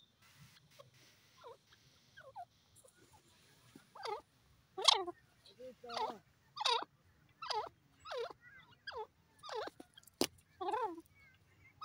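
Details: Wild francolin calling in a series of harsh, grating notes, each about half a second long, repeated roughly every second and growing louder after a quiet start.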